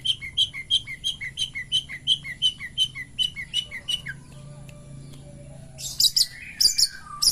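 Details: Long-tailed shrike singing its pastol song in the morning: evenly spaced bright chirps for four seconds, then a quiet pause with faint whistles, ending in a few loud sharp notes.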